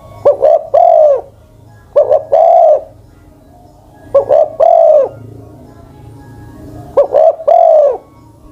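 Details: A decoy spotted dove more than ten years old gives four cooing phrases. Each is a pair of quick notes leading into a drawn, falling coo, with uneven gaps and a soft low rumble behind.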